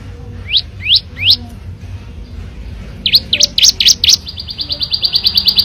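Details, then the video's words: Wild Plain prinia (ciblek sawah) song, loud and clear in ngebren style: three rising whistled upslurs, a pause, then louder upslurred notes leading into a quick, fading trill of high chips. "Suara Ciblek Sawah Ngebren Asli Alam – Jernih & Keras Bikin Burung Lain Ikut Bunyi"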